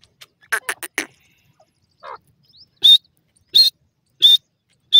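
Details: Francolin (dakhni teetar) kept at home. A few rough, bursting notes come first, then a short pause, then shrill, sharp high calls repeated about every two-thirds of a second.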